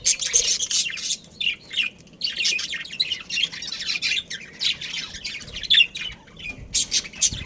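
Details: Pet budgerigar breeding pair chattering: bursts of sharp, high squeaky chirps and rasping warbles come in uneven clusters with brief pauses between them.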